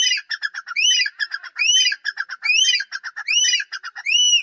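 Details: Francolin, locally called teetar or dakhni teetar, giving loud harsh calls. Bursts of short clipped notes alternate with arched, squawked rising-and-falling notes, repeating in rhythmic phrases about once per second. No other clear sounds.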